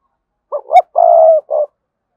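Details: Spotted dove, 'cườm sa' type, cooing as a prompt: a single low phrase of two quick notes, a drawn-out purring coo and a short clipped ending, clean and close with no other sound.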